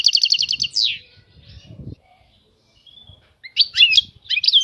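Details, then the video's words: European goldfinch opening with a brief rattling trill and downward note, followed by a quiet stretch with soft low rustling, then renewed bursts of loud twittering. "طائر الحسون. اجمل الطيور المغردة Goldfinch. The most beautiful songbirds"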